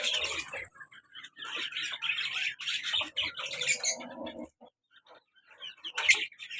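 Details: Pet lovebirds, colour male and black-mask female pair, active: steady grating twitter and chatter for four seconds, a near-silent pause, then a single loud sharp squeak.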